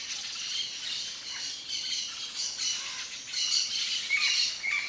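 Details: Yellow-faced parrot in the wild in Brazil's Cerrado, harsh grating squawks repeated irregularly about once a second, growing louder toward the end, with thin whistled notes mixed in.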